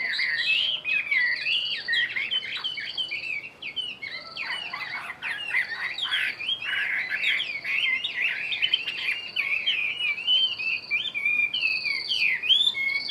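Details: Chinese hwamei kept in a cage for about a year delivers a long, varied song of quick whistled notes, chattering bursts and swooping slurs, sustained and loud throughout.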